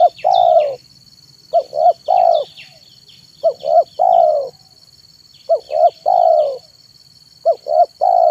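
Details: Afternoon cooing of a spotted dove (tekukur) used to lure wild birds: four repeated phrases, each two quick hooting notes and a longer sustained coo, roughly every two seconds. Small birds chirp faintly above a thin steady whine.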